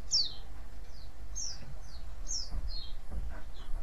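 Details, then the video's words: White-eye chattering used to coax other white-eyes to reply: a quick series of sharp, high, down-slurred chirps, some paired, with faint low thumps and a continuous low hum behind. "cuitan dan crecetan pleci ini ampuh memancing pleci lain nyaut"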